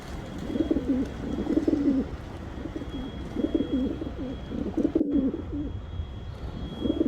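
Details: Pigeon cooing in short, low, gurgling bursts separated by brief pauses, each phrase a soft rolling warble; a single sharp click partway through.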